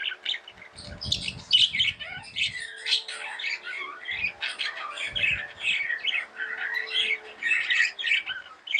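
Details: Tame budgerigars keep up a steady chirping chatter of buzzy, smeared warbles and squeaks with no real gaps, while low rumbling noise is heard early on.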